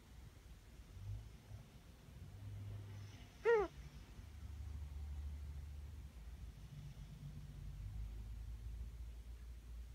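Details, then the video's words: A single brief, tonal squeak with a rich overtone stack comes from an almost one-year-old female Ringneck dove kept indoors, an unusual noise she now makes more frequently; steady low rumble fills the background. "Strange Vocalizations"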